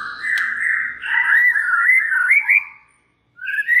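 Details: White-rumped shama song meant to provoke other shamas: a continuous warbling whistle that wavers up and down, a short silence, then a rising whistle.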